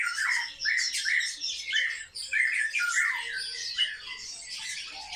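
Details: Captive sparrows, kept and observed as highly social birds, giving loud, harsh squawking chirps in quick overlapping bursts, with brief dips between louder clusters.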